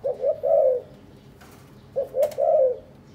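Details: Captive spotted dove from a breeding pair that is preening each other and carrying material to build a nest; two soft three-part coos, two short notes then a longer sliding note, given about two seconds apart, with light clicks.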